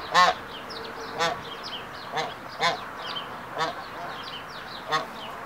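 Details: Hybrid Canada geese during pair formation, the male performing the courtship 'triumph ceremony' before the female: loud, nasal honks, six in about five seconds, some paired, with faint high songbird chirps underneath.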